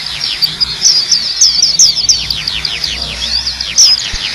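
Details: ['Loud, rapid song of a black-capped white-eye, a run of high sliding chirps and descending whistles pouring out without pause, against constant broadband hiss.']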